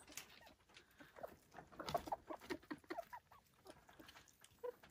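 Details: Silkie chickens at a homestead in the Vermont hills utter a few brief, soft clucks clustered in the middle, then a single clear note near the end, amid low scratching noise.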